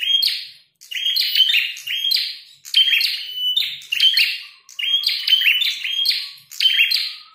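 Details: Red-headed prinia in a fighting bout, chattering song of clustered high, buzzy chirps delivered in roughly one-second phrases with brief gaps, repeated steadily across several seconds.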